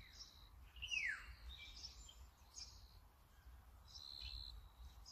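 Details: Brown-eared bulbul (Ixos amaurotis) recorded on a Sony camera with a 200-600mm lens: a single loud, sharply falling slurred note, surrounded by faint high thin chirps and twitters from other small birds.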